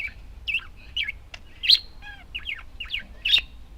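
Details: Pet budgerigars making short, high, bent chirps in an uneven series, with a few harsher squawk-like notes and a soft ticking click.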